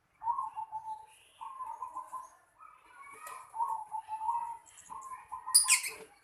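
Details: Zebra dove in a house yard giving a continuous run of rolling coo phrases at a steady low pitch, ending with a loud rustling burst that sounds like wing flaps.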